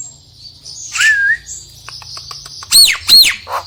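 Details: Nias hill myna song, used to encourage a lazy myna to sing: a mellow rising whistle, soft ticking, then two loud arched whistles about half a second apart.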